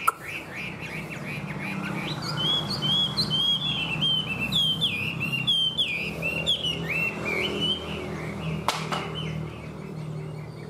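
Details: Rich, sustained song from a caged, largely tame Chinese hwamei: dense, fast-changing whistled phrases, trills and slurs pouring out for ten seconds over a faint low hum.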